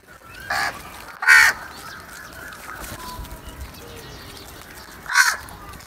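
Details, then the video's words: A few isolated rough caws from crows fighting and eating food, three short bursts separated by long gaps of background noise. "Crow Fight video | Crow sounds and Eating Foods"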